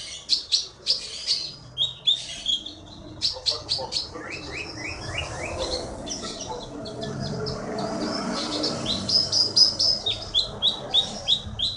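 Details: Forest-caught songbird from Bangka, a contest champion, giving chattering bursts and series of rapid high whistled notes, a descending run in the middle and a fast repeated phrase near the end, against steady background noise.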